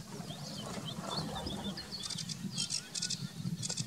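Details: Eurasian reed warbler singing at Weerribben on 18 May 2018, a rather restrained singer. Soft high chirps give way to harsh, buzzy chattering bursts repeated about every half second, over low rumbling background noise.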